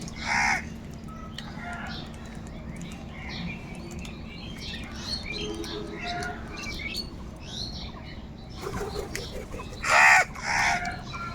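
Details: Crows crowing while searching for food: loud, harsh, buzzy caws come in short bursts near the start and again toward the end, with soft chirps from smaller birds and a steady low hum throughout.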